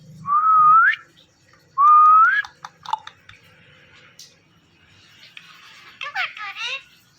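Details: Pet male and female ringneck parrots give mating sounds before a mirror: two upslurred whistles close together, followed by clicks and a burst of higher chattering, buzzy notes in a quiet room.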